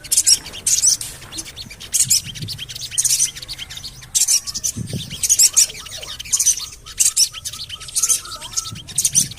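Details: Javan cochoa calls used as a lure to get other birds singing: loud, scratchy high chirp bursts in quick clusters, repeated roughly every second, with faint whistled notes from other birds beneath.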